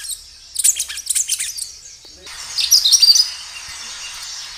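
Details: Kinoi singing hard outdoors in a lure recording meant to make caged kinoi reply: a burst of rapid high chirps, then a brief gap and a hissy stretch carrying thin fast trills.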